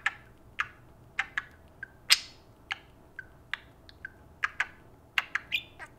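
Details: Two pet parakeets taking turns talking to a spoon: short, sharp, high chirps and squeaks, about two a second at an uneven pace, some with a scratchy edge, in a quiet room.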